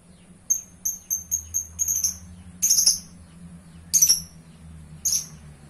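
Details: Lovebird in energetic gacor song: rapid, thin, very high chirps in a stuttering series, broken by several louder, rasping bursts spaced about a second apart. A low steady hum sits beneath.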